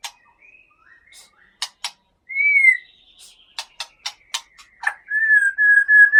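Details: Caged white-rumped shama from Aceh's Gunung Leuser region; the male was caught in Bahorok, North Sumatra, in November 2013. Sharp dry clicks alternate with short whistles, a rising-falling whistled slur, then a long steady whistled note to close.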